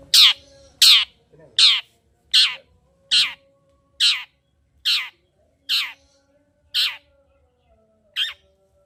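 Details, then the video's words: Long-tailed shrike song used as a lure to provoke a quiet shrike into singing: harsh, raspy downward-sweeping notes repeated about every 0.8 seconds, ten in a row, loud and close over a faint steady hum. "Pancingan Cendet Gacor Untuk Menaikkan Emosi Cendet Malas Bunyi."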